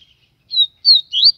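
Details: Double-collared Seedeater (Bahia-type bird from Aracaju, Sergipe, Brazil) sings strongly and loudly: three high, clear whistled "tui" notes in quick succession, the last sweeping upward, with no other sounds.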